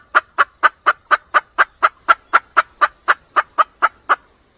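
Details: Red junglefowl hen calling to a male: some seventeen sharp clucks in quick, regular succession, then quiet.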